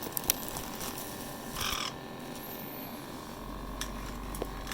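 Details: A 2-year-old female black-headed caique enjoying a massage machine's vibration gives one short, breathy sneeze, a soft hissing burst, over the machine's steady whirring drone, with a few faint clicks.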